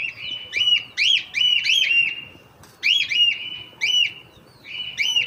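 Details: Hand-tame pet cockatiel giving repeated loud whistled calls, each a quick rising then falling note, in bursts of three to four with short pauses between.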